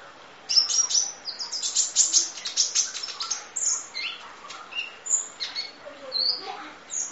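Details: Kolibri ninja (Van Hasselt's sunbird) masteran with full fill: a fast flurry of high tinkling chirps giving way to spaced, thin whistles that rise and fall, high-pitched throughout.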